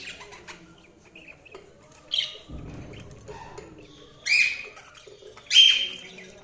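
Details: Budgies give quiet chattering, then three loud, bright chirps about a second or two apart, the last the strongest, with a brief low rustle in the middle.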